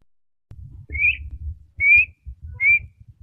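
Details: A Black-winged (Black-shouldered) Kite gives three thin, high, slightly rising whistles under a second apart, a call produced only in the breeding season, over a low rumble of wind.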